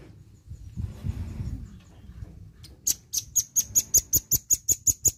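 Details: Velvet-fronted nuthatch singing vigorously: a low rumbling background gives way to a long, fast series of about thirteen shrill, high, evenly spaced notes.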